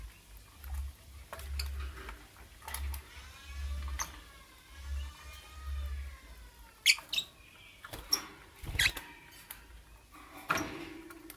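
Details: Lovebird in the morning, giving long, strained chirps with stacked overtones that rise and fall over several seconds, then sharp squeaky notes, over scratchy clicks and soft low thumps, as if from a cage.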